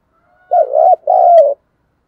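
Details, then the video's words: Spotted dove cooing in the thúc gù style with a giọng thổ voice, used to provoke wild doves: two low, mellow coo phrases back to back, the second longer and slightly falling, in quiet surroundings. "tiếng chim cu gáy THÚC GÙ giọng thổ"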